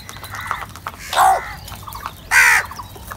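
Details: Crows fighting for cheese and salty food give two harsh, raspy caws a little over a second apart, the second higher and brighter, with softer squawks and clicks around them.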